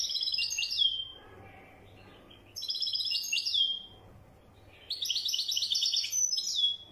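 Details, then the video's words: European goldfinch, wedyani type, repeating short phrases of rapid chattering trills, each trailing off in a slurred descending note, spaced about two seconds apart. "تغريد لطائر حسون ويداني"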